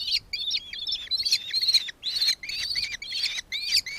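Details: Nankeen kestrel in Victoria, Australia, December 2024, giving a run of sharp, squealing, downslurred notes in quick bursts, with a short pause near the middle and a shrill final note.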